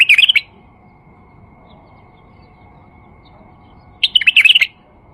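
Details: Tame male White-eared Bulbul song meant to draw other bulbuls and start a pet bulbul singing; two quick, rich warbling bursts open and close the stretch, with quiet in between.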